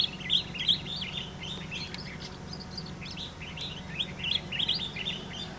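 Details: Two Collared Finchbills sing and wing-dance on plant stems on Da-shue Mountain, Taichung, Taiwan, on 7 April 2016: quick, overlapping bursts of bright chirps and short warbled phrases, nearly three notes a second, over a low steady hum.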